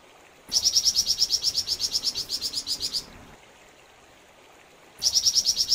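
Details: Flamboyan bird singing vigorously: a high, dry, rapidly pulsed trill of evenly spaced ticking notes lasting about two and a half seconds, a pause, then the same fast trill starting again, against a faint background hiss.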